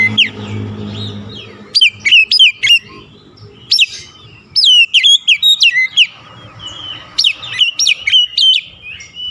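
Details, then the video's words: Oriental magpie-robin song meant to lure and stimulate a stressed bird that has stopped singing: loud, varied whistled phrases with sharp rising and falling notes and buzzy trills in quick bursts, with short pauses and a faint low hum. "KICAUAN PEMIKAT DAN PERANGSANG BUNYI | Kacer stres macet bunyi langsung gacor"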